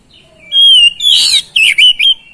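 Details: Oriental magpie-robin song, played as a lure to get lazy magpie-robins singing: a long clear whistle, then a harsh burst of rapid notes, ending in three short bright whistled phrases over a quiet background.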